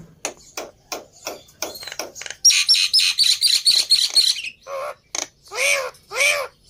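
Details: Black-winged myna lure song to get a reluctant bird singing: spaced dry clicks and chips, then a fast run of bright squeaky chattering notes, ending with several nasal, mewing squawks.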